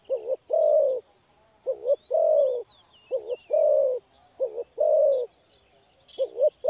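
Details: Malay-type spotted dove during trapping in Cambodia, cooing steadily: a quick double note followed by a long full coo, repeated about every 1.3 seconds, with faint thin chirps from other birds behind.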